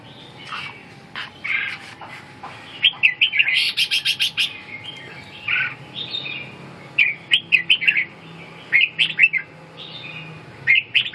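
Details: Red-whiskered bulbul singing: bright whistled phrases of quick rising and falling notes in bursts, with a run of rapid sharp clicks partway through and a faint steady hum beneath.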